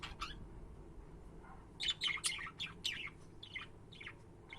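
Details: Budgerigars kept as pets give a run of short, rasping chirps and warbled notes, about a dozen in four seconds, irregular in timing and varied in pitch, over a quiet background hum.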